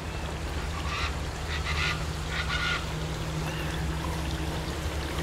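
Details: Chachalaca at Quinta Mazatlan in McAllen, Texas, in the Rio Grande Valley, giving harsh, honking, fowl-like calls in short bursts over about two seconds, then a fainter call near the end, over a steady low hum.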